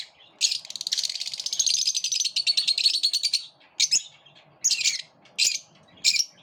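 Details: Lovebirds living in a group, squabbling and repelling each other: a long, harsh, buzzy chattering run of rapid notes, followed by four short, separate scratchy bursts.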